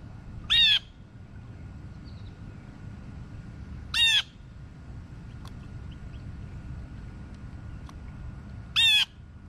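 A blue jay gives three harsh, screechy jeers, each brief and spaced about four seconds apart, calling other jays to food over a low background rumble.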